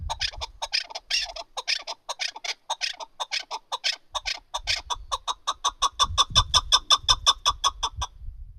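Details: Chukar partridge kept for hunting gives a long series of sharp clucking chuck notes that start uneven and then become rapid, regular and evenly spaced, nearly three per second, with faint low rumble underneath.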